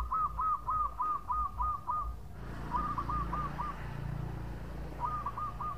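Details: Local zebra dove singing long phrases, played as a lure. A run of about eight rhythmic cooing notes is followed by two softer, shorter phrases against heavy, rumbling background noise.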